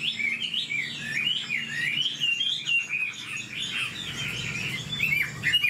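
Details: Old wild-caught Chinese hwamei, kept caged, singing a fast, continuous stream of loud, varied whistled phrases that swoop up and down without pause, with a low background hum beneath.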